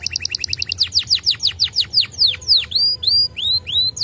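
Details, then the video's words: Canary singing to draw replies from other canaries: a quick run of short, evenly spaced chips gives way to slurred whistles falling steeply in pitch, then arched notes rising and dropping, about three per second, with a soft low background hum. "SEKALI PUTAR KENARI LANGSUNG NYAUT!!!"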